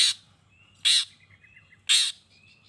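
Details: Long-tailed shrike calling to provoke other shrikes into answering: three loud, harsh, rasping bursts roughly one second apart, with faint thin whistled notes between them over a quiet low hum.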